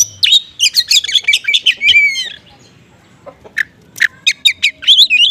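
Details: Oriental magpie-robin singing 'konslet' style with small-bird imitations to provoke other magpie-robins; a fast chattering phrase ends in a slurred whistle, a short pause, then sharp single chirps resume.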